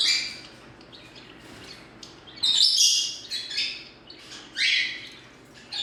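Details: Pet green-cheeked conure doing head bounces: soft chirps at first, then three loud, grating squawks close together in the second half, indoors with little other noise.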